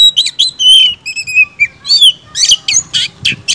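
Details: Oriental magpie-robin (kacer) in full, vigorous 'gacor' song meant to rile other magpie-robins: loud, varied whistled phrases, some long sliding notes and clear fluting slurs, then quick buzzy, scratchy bursts near the end.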